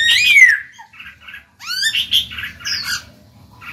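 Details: Black-throated laughingthrush kept as a cage bird, singing to prompt other birds to sing: a strong falling whistle, then harsh rasping squawks and a rising slurred note, with a soft low background hum.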